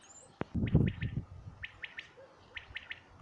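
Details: Common quail (Coturnix coturnix) song recorded in 2019: a liquid three-note 'wet-my-lips' phrase repeated about once a second, over low rumbling wind or handling noise.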